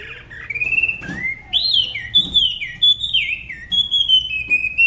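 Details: Da Lat spot-throated babbler from La Ba river in solo song, unusual compared with other regions: long pure whistles, rising, arching and gliding down, delivered in slow drawn-out phrases with faint clicks between them.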